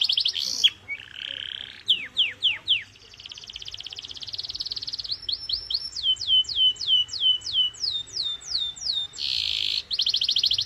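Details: Canary song played as a training stimulus for young or silent caged canaries: fast high buzzy rolls alternate with runs of rapid descending whistled sweeps, a dense trill near the end, and a faint low hum underneath.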